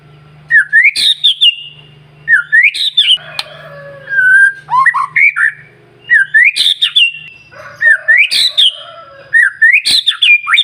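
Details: White-rumped shama song for stimulating other shamas: rising whistled phrases ending in harsh bursts, repeated roughly every two seconds with a low hum in the background.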